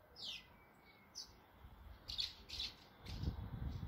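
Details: Swallows fluttering in numbers around a nest with chicks in Bulgaria; a few sharp, downward-sliding chirps, spaced apart, over low outdoor rumble.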